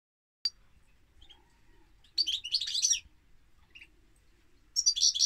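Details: European goldfinch singing: two bursts of bright, tinkling twittered notes, the first near two seconds and the second near five, separated by quiet with a sharp click at the start.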